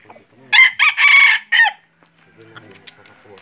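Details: Decoy red junglefowl used for hunting crows once: a loud, harsh, broken four-part crow lasting about a second, with a short gap before a clipped final note, followed by faint background rustling and murmur.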